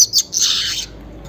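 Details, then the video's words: Brief phrase from a weaver (manyar) singing in the morning around 5:40: two quick high chips then a long harsh sizzling buzz fading out. "suara pancingan burung manyar pagi hari"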